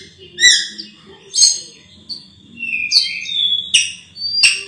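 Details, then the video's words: Sulawesi myna, described as singing very melodiously: loud sharp chirps and short whistled phrases at roughly one-second intervals. A steady high thin tone runs underneath, with low background murmur. "BURUNG RAJA PERLING ‼️suaranya merdu sekali"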